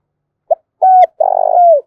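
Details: Spotted dove coo phrase played to lure wild doves: a short pip, a flat coo ending abruptly, then a long burred coo that falls at the end. Recorded cleanly.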